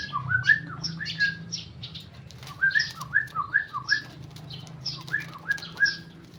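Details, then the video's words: Sooty-headed bulbul, tame male, singing ropel: clusters of quick, slurred whistled notes in short bursts with pauses between. "Trucuk jinak ropel"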